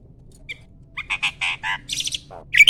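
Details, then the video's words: Adult male Asian pied starling, caged, ready to breed, giving a short burst of rasping, buzzy chattering notes after a near-silent start, ending in a sharp high whistle. "BURUNG JALAK GACOR MOMPA-MOMPA!!! JANTAN TULEN."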